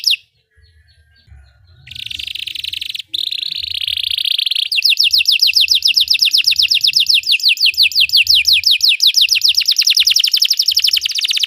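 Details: Belgian canary singing as training for other canaries: brief whistles and a buzzy rolling phrase open, then a long very rapid trill of descending high notes lasts to the end.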